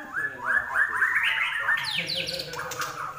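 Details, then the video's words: Common iora in active, energetic song: a rapid run of short upslurred whistles about four per second, then buzzy descending notes, over a low background hum. "larwo Gacor"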